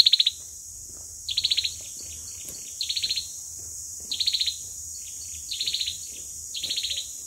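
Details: Olive-backed sunbird in fighting song, lure recording: softer, high buzzy trilled bursts repeated roughly every 1.3 seconds, with scattered faint chips between them and a constant high hiss.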